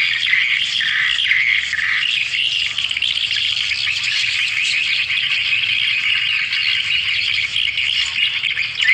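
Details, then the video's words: Swiftlets, a lure call used to gather swiftlets: a dense, continuous high twittering chatter from many birds, steady throughout with buzzy chirps overlapping and no pauses. "SUARA PIKAT PEMANGGIL BURUNG WALET"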